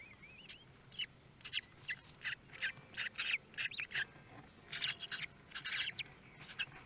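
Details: Common kestrel at a nest on webcam in Théding, France, 24 May 2022, as the third and fourth chicks hatch; short harsh bursts repeat in quick clusters, with a few thin wavering squeaks near the start.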